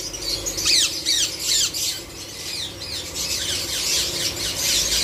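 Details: Indian ringneck parakeets give harsh, high screeching squawks that sweep downward, repeated about twice a second over a faint low hum.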